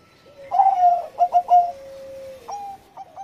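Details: Bangkok-type zebra dove in engkel song style, meant to raise breeding mood: a rich, loud opening coo, three short pulsed notes, then a long, even, slightly falling tone and two brief closing notes.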